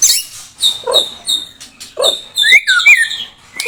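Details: White-rumped shama of the blorok type singing: sharp high whistled notes and quick slurred phrases, broken by short lower rasping sounds, loud and close.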